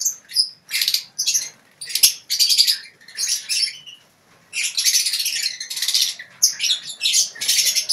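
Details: Lovebird colony in a shared cage, ngekek chatter of repeated shrill, grating twitter bursts about every half second, running together into a longer stretch near the end.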